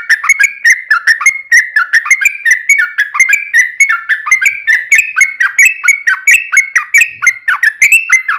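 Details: Trucukan song used as a lure to set other birds singing: a long, continuous run of rolling, liquid, downslurred whistled notes repeated several times a second without a break.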